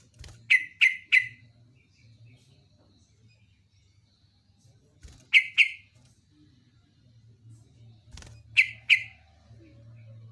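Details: Yellow-vented bulbul giving short sharp bursts of two or three chattering notes, spaced a few seconds apart between clicks, with a low background hum.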